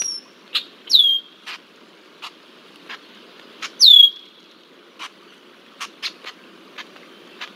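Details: Persistent red-winged blackbird mobbing a bald eagle at Decorah, Iowa, 20 July 2023; two bright falling whistles stand out among scattered soft clicks and taps in a quiet outdoor setting.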